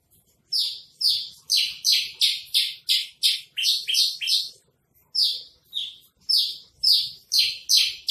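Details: Trotol-style song of a Javan bush lark for sale, used as a tutor recording: quick series of rasping, downslurred chirps with a short silent break in the middle, then more evenly spaced notes.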